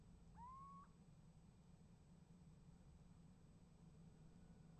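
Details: Nest box livestream recording of a little owl, 28 January 2015, calling in winter: one drawn-out mewing whistle that rises slightly and then levels, over a constant low background hum.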